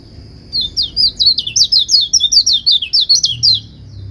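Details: White-eye singing a fast chain of high, wavering trilled notes, roughly fourteen sharp twitters in three seconds, preceded and followed by a thin steady whistle; described as making other white-eyes answer.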